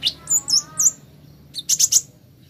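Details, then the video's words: Plain flowerpecker, locally called kolibri ninja, in a recording used as therapy to get birds singing quickly: very high, thin chirps and short slurred notes, then a quick run of three sharp, bright ticks. "Terapi Kolibri Ninja Cepat Buka Suara"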